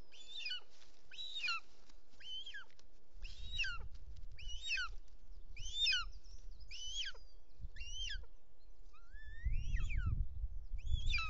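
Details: Short-toed snake eagle at its nest in Els Ports Natural Park, Catalonia, 6 June 2024, as the male arrives with a snake in its beak; clear, whistled, up-and-down notes about once a second over low rumbling wind.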